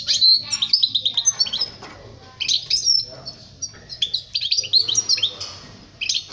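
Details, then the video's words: European goldfinch song meant for teaching young birds to sing: rapid twittering phrases of high tinkling notes, quick slurred whistles and buzzy trills in dense bursts with brief pauses. "Chant chardonneret pour les jeuns لتعليم صغار طائر الحسون"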